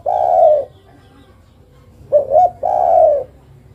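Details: Low mellow coo from a female island collared dove calling the male. A long drawn coo is followed after a pause by two short rising hoots and another long, even coo.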